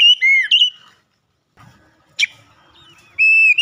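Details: Oriental magpie-robin (kacer) in loud open 'ngeplong' song, beak wide: bright whistled notes falling and rising at the start, a pause with faint clicks, one sharp note midway, then steady whistles closing the phrase.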